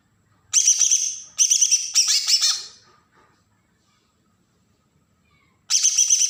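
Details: Kalimantan green leafbird from Berau in agitated besetan song, used to provoke untrained birds: three close bursts of shrill, fast chattering notes, then silence for nearly three seconds before another sharp burst begins.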